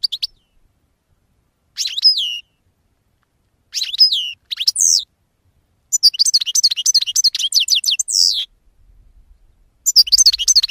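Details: European goldfinch singing in short separated bursts of bright, rapid twittering notes with sharp downward sweeps, broken by pauses, ending in a dense run of repeated chirps.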